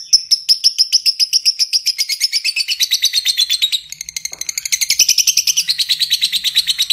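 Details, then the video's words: Lovebird in long 'ngekek panjang' chattering used as a training recording for other lovebirds: rapid, high, sharp notes about seven per second in an unbroken run, briefly softer midway, then resuming strongly. "suara burung lovebird ngekek panjang"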